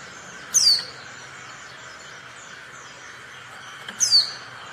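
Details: Call of a female Oriental white-eye meant to trigger silent or reluctant males to reply and sing; two sharp high falling notes about three and a half seconds apart, with quiet hum between.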